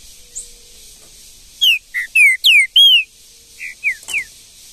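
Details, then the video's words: Free-living green-winged saltator in Brazilian woodland sings loud, rich whistled notes in quick succession, downslurred and one arched, then a softer trailing group of three whistles. "MUITA FIBRA trinca ferro no mato"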